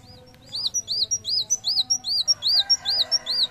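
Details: Van Hasselt's sunbird singing hard, played to tutor and lure other birds: after a quiet start, a regular sequence of high arched whistles alternating with tiny sharp ticks, about three per second, continuing to the end.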